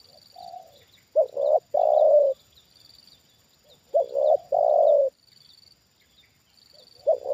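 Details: Tame decoy spotted dove responding to a wild dove lured in for the second time; a soft lead-in note then two full phrases, each a stuttered double coo and one long low sustained coo, a third phrase starting at the end; steady high hum.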